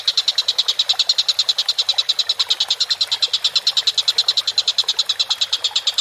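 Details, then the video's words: Collared kingfisher in full voice: a continuous, machine-like rattle of sharp, harsh notes at a steady pitch and fast regular tempo. "MASTERAN BURUNG TENGKEK BUTO GACOR"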